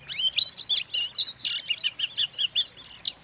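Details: Oriental magpie-robin song intended to agitate other magpie-robins; quick evenly spaced bursts of high, twisting whistles and chirps, about four per second.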